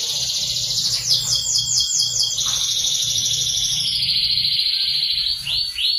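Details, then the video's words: Canary singing vigorously, its song used as a master recording to teach magpie robins: rapid rattling high trills shifting into a long sustained buzzy trill that drops slightly in pitch, ending with short upward sweeps; faint low hum beneath. "burung kenari gacor cocok buat masteran burung murai batu"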